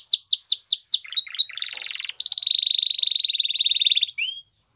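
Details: Waterslager canary giving five falling whistles, bubbling notes, a short buzzy roll, then a long rapid pulsed trill ending with one rising whistle.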